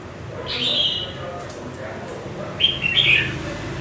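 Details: Young red-whiskered bulbul in half-moulted plumage, caged for five months, sings two brief bright whistled phrases with a pause of about two seconds between them, against a quiet steady background.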